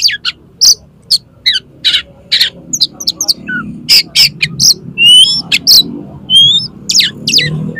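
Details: Singing Oriental magpie-robin provoking another magpie-robin to fight, tail opened, pouring out borrowed phrases; rapid harsh chattering bursts mixed with clear rising whistles and quick trills, very loud and close.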